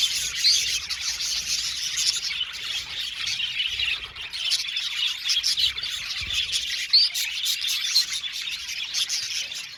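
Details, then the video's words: Budgerigars in an aviary colony, singing and chirping: a dense, continuous chatter of high, scratchy chirps and warbles from many birds at once, with occasional sharper squawks and clear whistled notes rising above the steady flock noise. "Budgies singing and chirping sound"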